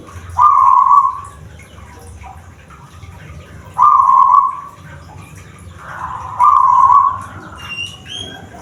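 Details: A kept zebra dove of the "bedah karang" type, whose cooing is described as hoarse and raspy rather than clear, gives three rolling, coarse coos about three seconds apart. Faint high chirps from another bird come near the end.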